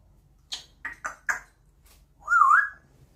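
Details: African grey parrot kept indoors, being very loud: four sharp clicks or pops, a pause, then a loud wavering whistle that dips and rises.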